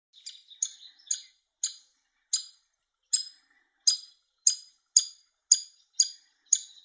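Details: Hungry woodpecker chick being fed by the male; high, sharp chirps repeated roughly twice a second, each a short squeaky note, steady through the clip.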